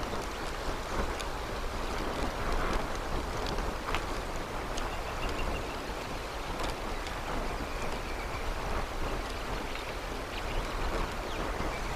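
Steady roar of wind or water with scattered clicks and rustles, and no animal voice.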